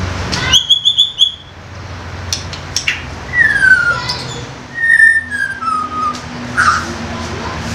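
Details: Young wild white-rumped shama with a koar koar song: a brief burst of high repeated whistles, then slurred, descending whistled phrases spaced by pauses, over a low background hum.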